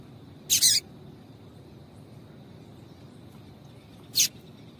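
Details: A female double-collared seedeater calls to stir a male into song. One longer doubled high chirp is followed after a pause of more than three seconds by a single short sharp note. A faint steady whine and low hum run underneath.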